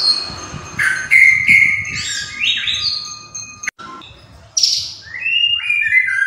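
A White-rumped shama sings a rich, varied run of clear whistles and sweeping, slurred notes, jumping between high and mid pitches with brief pauses.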